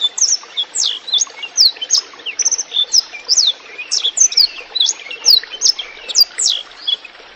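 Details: Blackthroat song with trickling water, for coaching songbirds: a lively string of high, sharp slurred whistles, several sweeping downward, repeated at a quick, even pace.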